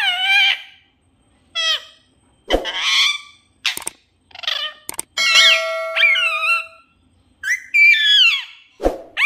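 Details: Pet parrot, called a desi parrot, talking in a sweet voice: a run of clipped, harmonic vocal bursts with sliding pitch, some sharp clicks and a steady tone in the middle, no other clear sounds.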